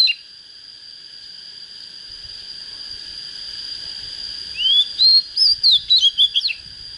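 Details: After a long quiet stretch with a steady high tone, a young untrained Oriental magpie-robin starting to come into form bursts into about ten quick rising and falling whistles near the end.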